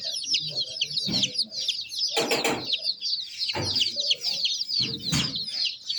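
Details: Many young chicks peeping together in a steady flock chorus of thin, high, downward-flicking chirps, with several broad bursts of knocking or rustling noise between them.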